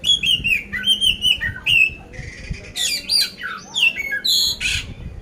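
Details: Captive oriental magpie-robin of the poci type from Magelang, Central Java, ready for competition, singing coarse-filled song: clear rising-falling whistles, then harsh buzzy notes and quick sliding phrases.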